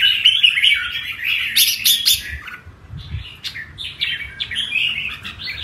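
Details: Red-whiskered bulbul song, delivered in a showy performance style by an ornamental bird: loud, dense, scratchy chirped phrases with sharp bright bursts, a short pause midway, then a fresh run of quick warbled notes.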